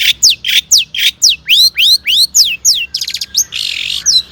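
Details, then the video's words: Long-tailed shrike singing energetically as a lure for other shrikes; loud downward-sweeping whistles repeated about three per second, some rising then falling, followed by a rapid stuttering trill and a harsh buzzy note. "suara cendet gacor PALING DI MINATI,, PANCINGAN CENDET AGAR BUNYI"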